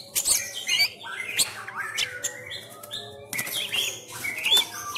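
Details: White-rumped shama, Sumatran variety, training at home in a cage: loud fighting song with bursts of sharp high whistles and scratchy chatter, softer warbling between, over a low background hum.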